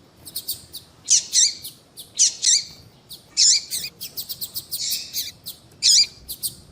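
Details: Yellow-bellied seedeater female calling, used to heat up males for song contests: paired loud buzzy notes recur every second or so, mixed with many fast, thin, high chips.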